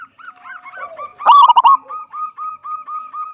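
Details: Zebra dove, local type, singing in the big "kung" style to lure other doves into song: soft coos, a loud stuttering burst, then a steady run of evenly repeated mellow notes.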